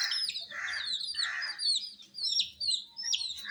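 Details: Dyed domestic chicks cheeping in high, quickly falling notes, dense at first, then sparser sharp peeps after two soft breathy swells.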